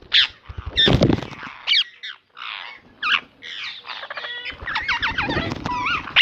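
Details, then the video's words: Pet ringneck parrot giving harsh, ragged squawks, a loud burst near the start, then rapid chattering and warbled notes with sharp whistled slides toward the end, over a faint low rumble. "Ringneck parrot"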